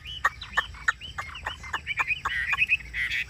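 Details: Chinese hwamei kept in a cage, giving choppy song with short clipped notes and quick rising whistles, run together into a denser chattering phrase toward the end.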